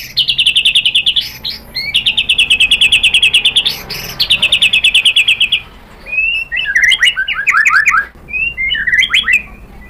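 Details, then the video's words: White-rumped shama song used to lure other shamas into singing: long rapid trills of repeated high notes, then a varied run of quick slurred chirps and whistles. "KICAUAN MURAI BATU memancing BUNYI jadi NYAUT GACOR BONGKAR MATERI | PANCINGAN MURAI"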